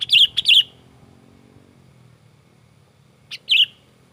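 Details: Sooty-headed bulbul in lively, agitated song: two quick bubbly, warbled notes at the start, then a pause and a third similar note near the end, over a faint low hum.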